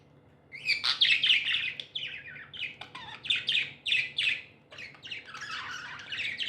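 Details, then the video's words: Several happy pet budgies give loud, continuous scratchy chirping, fast notes roughly four per second rising and falling in bright bursts with only brief pauses. "Happy budgies chirping sounds"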